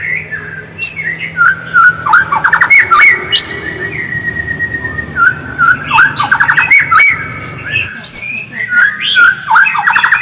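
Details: Lure recording of a white-rumped shama meant to provoke other shamas into song: rich whistled phrases, quick trills and rising notes delivered in bursts with short pauses, over a faint low hum.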